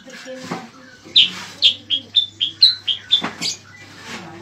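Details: Bayeman or cicak kurincang used as a master bird for training songbirds for competitions. After a quiet start it gives about nine clipped, whistled notes at a brisk, even pace, with a low hum behind.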